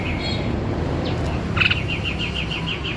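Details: White-necked babbler from a recording meant to tutor songbirds, giving a steady series of short, evenly spaced high notes, about seven in quick succession, after a few scattered chirps.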